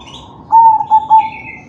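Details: Singing crossbred zebra dove, kalung tempuk song style, played to stimulate other doves to sing: a single phrase of three mellow coos of steady pitch, each separated by a brief dip, over faint high chirps.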